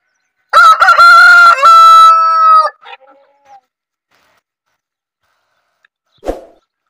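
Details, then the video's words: Desi rooster gives one loud, clean crow: a few choppy opening notes run into a long, level, strongly harmonic call that fades after about two seconds, then a short trailing note, silence, and a single sharp knock. "Rooster crowing sound effect|Desi murga ki aavaj|Desi rooster sound"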